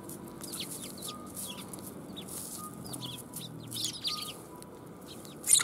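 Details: Sparrows at a Tenmangu shrine come to be fed, January 1, 2021: many thin chirps overlapping steadily throughout, a louder burst at the very end, against a low continuous hum.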